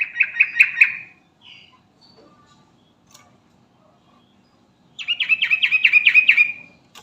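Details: Sooty-headed bulbul, locally trucukan, calling companions: a burst of rapid bubbling notes, quiet for several seconds, then a longer rolling series of about a dozen chattering notes fading out.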